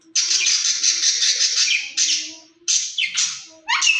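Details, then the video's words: A pair of rose-ringed parakeets in a cage, described as talking to each other in Urdu, produce loud harsh screeching phrases separated by brief gaps, ending in a rising squeal. "Speaking Parrots in Cage"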